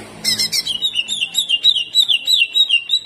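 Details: Greater green leafbird opening with a few harsh, scratchy blasts, part of its rough 'tembakan kasar' jamtrok delivery, then rolling into a rapid, continuous chain of sliding high whistles at several notes per second.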